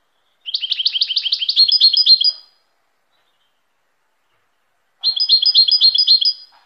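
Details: European goldfinch delivers two long trilled phrases of fast, high, repeated twittering notes, the first about two seconds long, the second following after a clean silence of over two seconds.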